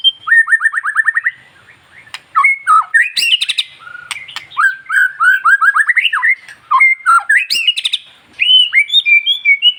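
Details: White-rumped shama, long-tailed type, song used to provoke other shamas into singing: a fast series of downslurred whistles, then rich warbled phrases with sharp clicking notes, delivered in bursts separated by brief gaps.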